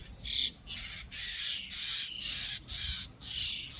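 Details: Common starling chicks being fed by adults at Pärnu on 1 July 2025 give harsh, hissing begging calls in five loud bursts of about half a second each, separated by brief pauses.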